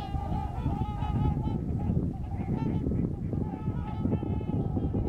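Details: Migrating trumpeter swans in Missouri, a flock calling together: overlapping nasal, bugle-like honks with rich harmonics, some calls with a slight rise, sounding almost continuously over a heavy low rumbling background noise.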